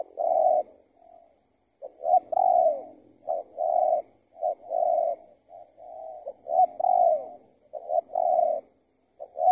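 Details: Spotted dove answering a decoy during trapping; the target was an escaped tethered trapping bird. Steady sequence of hollow coos with short lead-in notes and drawn-out, slightly falling coos, after a brief pause near the start.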